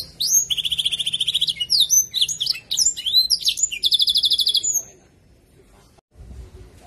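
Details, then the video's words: Canary song filled with blackthroat-style phrases: rapid, high, buzzy trills and quick sweeping whistled notes run for about four and a half seconds, then the bird falls silent over faint low background noise. "Kenari mewah rasa blackthroat"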